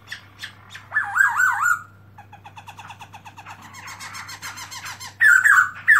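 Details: Black-throated laughingthrush (Garrulax chinensis) singing with open tail in 2017: a wavering warbled whistle, then a long stretch of quick dry chattering notes building up, closing with loud wavering whistles again; a constant low hum runs throughout.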